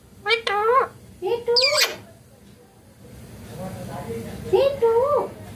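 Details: Pet Indian ringneck green parrot talking clearly indoors: two quick harsh, word-like phrases with shrill overtones, a short pause, then a softer phrase ending in a rising squawky word.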